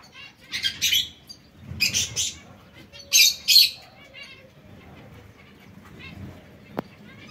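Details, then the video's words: A pair of male canaries fighting: loud, grating squawks arriving in quick clusters during the first four seconds, followed by softer chirping and a single sharp click near the end. "Canarini | I maschi litigano tra loro"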